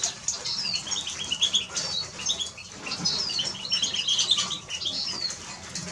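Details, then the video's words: Eurasian siskin song: a dense, rapid twitter of high chirps and trills with a few drawn-out sliding notes, running steadily throughout. "Eurasian siskin Song -Spinus Spinus -Scatiu"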